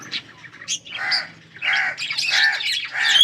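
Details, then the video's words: Yellow budgerigars, recorded August 20, 2024, give harsh, nasal squawks in separate bursts about every half second, mixed with a few higher chirps. "Beautiful yellow budgies chirping sounds 💛 budgies talking"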